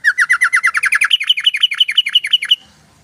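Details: Lively yellow-vented bulbul, recorded for use as a lure to attract other bulbuls. An unbroken rapid chatter of about twenty-five notes runs for two and a half seconds, stepping higher in pitch halfway through, then stops.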